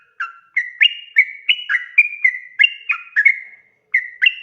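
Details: Long-running 'ropel' song of a sooty-headed bulbul, played to provoke other bulbuls into replying: clear whistled phrases of two or three linked notes, quickly repeated, with a brief pause before the final notes.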